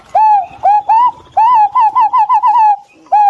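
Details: Green pigeons exchanging calls: a few short rising whistles lead into a quick chain of about eight warbled, wavering notes, followed by a pause and a fresh whistle at the end.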